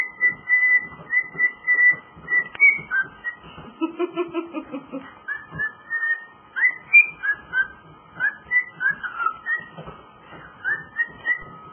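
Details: Pet cockatiel singing its take on Jingle Bells, long sequence of quick whistled notes, steady at first, then a brief buzzy chatter before more rising and falling whistles, faint room hum throughout.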